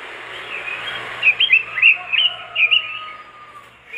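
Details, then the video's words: Robin singing to prompt other robins to sing along: after a quiet start, a burst of short, bright warbled whistles comes in quick succession, then the clip fades to soft background hiss. "masteran burung robin gacor dor,bikin robin lain ikutan gacor"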